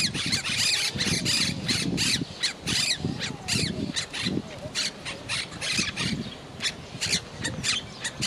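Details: A talking monk parakeet (Quaker parrot) kept in a house gives a rapid run of harsh, raspy squawks and chattering bursts, several each second, with garbled speech-like phrases mixed in.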